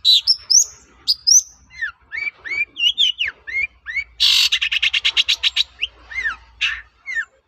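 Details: Long-tailed shrike song used as a lure to provoke answering shrikes: high slurred whistles and bent chirps repeated in a loose series, interrupted midway by a harsh, fast rattling chatter of about a dozen pulses.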